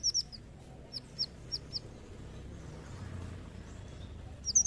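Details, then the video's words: A brown-throated sunbird, whose call is used as a lure, gives very high, sharp chipping notes in quick bursts of three to five separated by pauses, over a soft low background hum. "Pancingan Kolibri Ninja"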